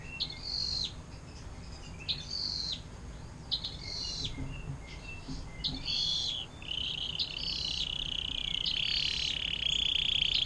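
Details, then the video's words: Canary in 'air mancuran' style song, used as a tutor for other songbirds; faint high chirps and short bright phrases at intervals, then a trill building steadily louder toward the end. "KENARI DENGAN LAGU AIR MANCURAN PANJANG"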